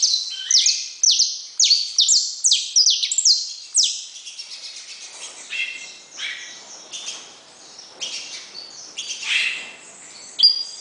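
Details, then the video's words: Saffron finch singing: a fast run of loud, high downslurred notes for four seconds, then softer, more varied chirps and slurred phrases with a faint rustle beneath, ending on one sharp note. "Canário da terra"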